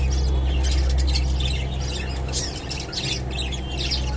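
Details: Japanese budgerigar at a meal of kolmi shak (water spinach) chatters in fast, fairly regular scratchy chirps, nearly four per second, over a loud low hum.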